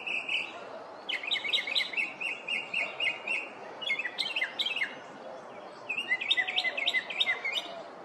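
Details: Northern mockingbird singing from a neighborhood in the morning, copying other species: loud phrases of fast repeated chirps, each type repeated several times before switching, in three runs across the clip.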